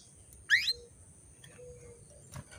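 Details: ['Calling female canary, meant to stimulate males into breeding condition: a single bright swept chirp against a hissy, noisy background, with a faint tone and a brief click later.']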